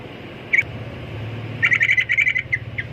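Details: A single sharp chirp, then a fast, rhythmic string of bright trilled notes from a sooty-headed bulbul, over a low steady hum.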